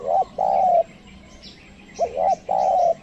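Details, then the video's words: A decoy spotted dove is calling to attract wild ones. Two low coo phrases each pair a quick looping note with a sustained flat note, with a faint pause between them. "pikat tekukur ajaran memanggil burung liar"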